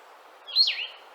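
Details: Blue-headed Vireo (Vireo solitarius) song: a single slurred phrase rising then dropping, sweet, slow and drawn out with a sad, slightly sneezy quality, over a soft background hiss.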